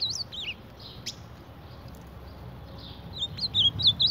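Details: Ultramarine grosbeak fighting its own reflection in a mirror: high, sharp whistled notes with quick up-and-down inflections at the start, a brief pause, then a rapid burst of similar chirps at the end, over a steady low hum.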